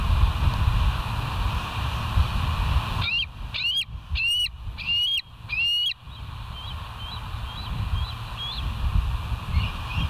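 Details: Bald eagles at West End, recorded by a live nature cam on 08/04/2023 at 05:22: five loud, high whistled notes with upward flicks, evenly spaced about two-thirds of a second apart, then a run of faint chirps over steady low rumble.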